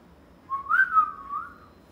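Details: Pet parrot at home gives a single pure whistle of just over a second, sliding up, wavering gently in pitch and tapering off, the room otherwise quiet.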